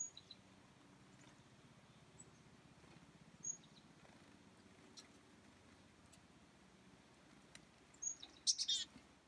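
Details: Chickadees in the cold on 2 January 2019 at 2:10 PM give a few thin, high chips spread over several seconds, ending in a quick cluster of sharp notes, over a low steady hum.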